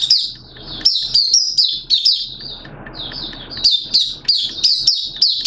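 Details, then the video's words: Caged Malaysian white-eye in 'buka' open song, recorded 21 June 2023. Rapid high, sweet twittering phrases come in quick bursts, with a short quieter gap midway over a faint low hum. "Malaysian Mata Puteh Buka Sing"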